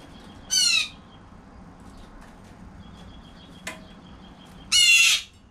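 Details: Blue jay (Cyanocitta cristata) feeding on a balcony gives two harsh, raspy jeer calls about four seconds apart, with a faint thin whistle and a single sharp click between them.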